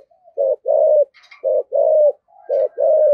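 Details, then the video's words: Decoy spotted dove singing in the 'giọng thổ' style, giving 'gáy gọi hai hậu' calling coos: three low hollow phrases, each a short coo followed by a longer drawn coo, about one per second, with faint thin chirps briefly between. "Chim Cu Mồi, chim cu gáy giọng thổ thúc gù và gáy gọi hai hậu rất chuẩn"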